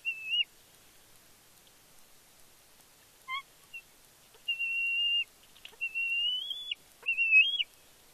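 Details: Fledged bald eagle at the Big Bear nest on 31 May 2022, excited as the parent male brings a fish. After a quiet stretch come three sustained high whistles, the last rising slightly before breaking off.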